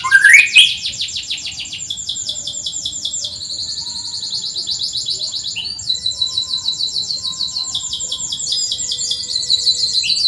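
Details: Caged canary lure recording used to coax reluctant birds into singing, made up of continuous bright high chirping and rapid trilled phrases, with a rising opening note and steady repeated pulses throughout.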